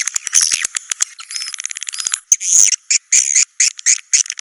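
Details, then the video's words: Swiftlets making high chirps and a couple of thin whistled notes, followed by choppy bursts of buzzy twittering separated by abrupt short silences. "SUARA BURUNG WALET"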